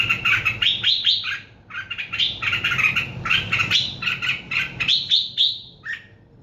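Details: A songbird sings lively runs of short, upward-sweeping chirps, repeated in rapid clusters, with a low background hum underneath.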